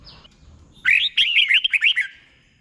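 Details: Short burst of red-whiskered bulbul tutor song for caged birds, doubled 'boen' style: a faint high whistle, then a quick tumbling string of about six bright, bubbly notes.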